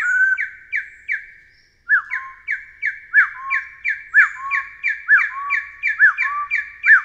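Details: A Taiwan hill partridge gives a few short notes, pauses briefly, then resumes with a repeated pattern of sharp downslurred notes and low rising whistles.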